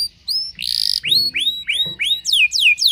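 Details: Canary song used to provoke other canaries into singing: varied phrases of falling whistled sweeps repeated in quick series, with a brief harsh buzzy burst, all high-pitched and loud.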